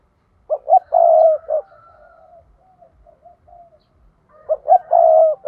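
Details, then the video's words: Decoy spotted dove calling in the 'thúc' style used to attract wild doves for trapping. Two full phrases of a pair of quick coos and a long drawn-out hoot, with soft, faint cooing notes between them. "Chim cu gáy thúc || tiếng chim cu gáy mồi chuẩn"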